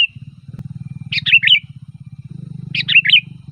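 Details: Sooty-headed bulbul song used as a lure to call bulbuls: two short bubbling phrases of three to four quick warbled notes, separated by about a second and a half, over a steady low hum.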